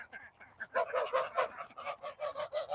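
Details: In the morning, domestic ducks and geese still shut in their night cage, about to be let out onto the cow pasture, give a busy chorus of nasal honks and quacks in quick overlapping bursts, with a person's voice faintly behind.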